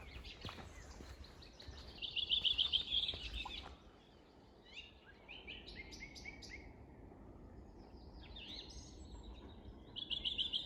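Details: Birdsong at Bornitsky quarry, recorded 1 June 2021. A fast buzzy trill sounds near two seconds and again at the end, with brief, repeated high chirps and whistles from other birds between them, over a light outdoor rumble.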